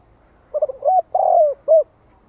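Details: Lure spotted dove calling to draw and stimulate wild birds, 'gáy gọi + thúc' coos in the 'hạp bổi' voice. A single deep, mellow phrase: rapid broken notes, a longer falling coo, then one clipped final coo, with little background.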